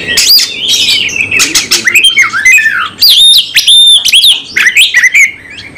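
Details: Oriental magpie-robin singing in fighting mode with full repertoire: pure high whistles and swooping slurs interrupted by dry clicking and harsh buzzy notes in lively phrases.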